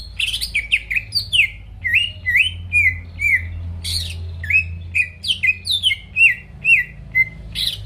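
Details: Greater green leafbird singing as bait to rouse competing birds; a steady string of clear downslurred whistles, roughly two per second, with occasional higher harsh notes mixed in.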